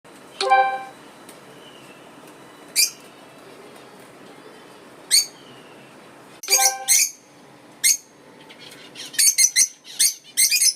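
Lovebirds give sharp, high, shrill chirps in short bursts, a few isolated notes at first, then quick clustered squeaks toward the end, with a harsher harmonic squawk near the start.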